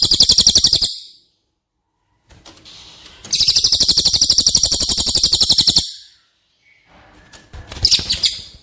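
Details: Training song of a cililin for caged White-rumped shama: three bursts of a fast, high-pitched trill, the longest lasting about two and a half seconds, separated by pauses with clicks and knocks.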